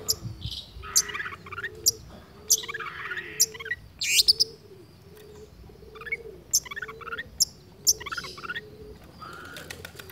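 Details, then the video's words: Long-tailed shrike imitating other birds, singing steadily: sharp high clicks and scratchy chattering bursts every second or so, over a low repeated cooing from a dove in the background. "Cendet gacor menirukan suara burung dengan teratur tanpa putus"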